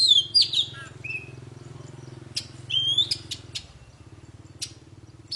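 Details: Poci bird song for getting silent birds singing: a quick high whistled flourish, then scattered clicks and a short whistle over a steady low mechanical hum.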